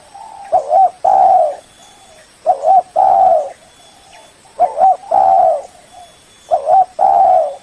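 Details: Repeated spotted dove lure call aimed at a rival: four phrases about every two seconds, each a wavering two-part note leading into a long full coo, soft coos between.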